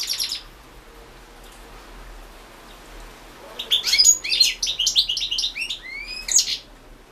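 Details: European goldfinch singing in a 2016 world championship song competition recording: after a brief high twitter and a long quiet stretch, a rapid burst of high, tinkling, twittering notes with quick slurred whistles, mixed with dry buzzy elements.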